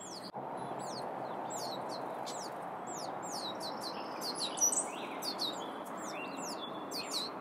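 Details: Young wild turkey poults stay near their mother and feed on seeds fallen beneath a feeder in the California Sierra foothills in spring. Rapid, overlapping, high thin peeps come several each second over a steady hiss.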